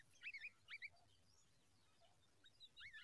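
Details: Babbler chicks begging for food: short bursts of squeaky, rising and falling chirps, clustered in two groups with a quiet gap between them.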